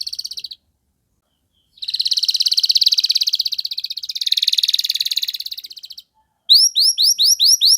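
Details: Canary singing to provoke other canaries into song: short trill, a pause, then a long loud rolling trill lasting about four seconds, silence, and a series of sharp rising-falling notes.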